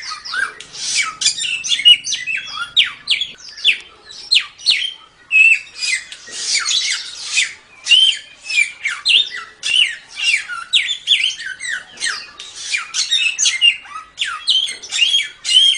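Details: Silver-eared mesia (samyong) in the 'tembak' song style, used to train songbirds: a long, dense stream of sharp chips, rapid downsweeps and short buzzy notes, delivered without pause at high pitch.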